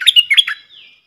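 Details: Wild southern bulbul, a smart bird answering a caged lure bird with a big voice while staying away from the cage: a quick chirpy phrase of bright notes, then a thin fading whistle.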